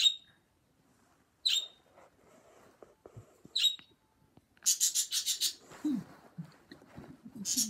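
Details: Pet parrot getting loud and happy indoors; sharp, high squawks at intervals, then a run of rapid harsh screeches repeated in quick succession, with softer low chattering and clicks between the bursts.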